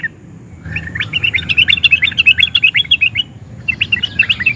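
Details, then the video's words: Sooty-headed bulbul singing excitedly and without pause in the nguplik and ngerol styles, a song that provokes other sooty-headed bulbuls to reply. After a quiet start comes a quick run of about fifteen chirpy notes, a short pause, then another lively burst. "Kicau Trucukan Gacor Emosi NGUPLIK DAN NGEROL, bikin SEMUA JENIS TRUCUK YANG DENGAR AUTO NYAUT GACOR"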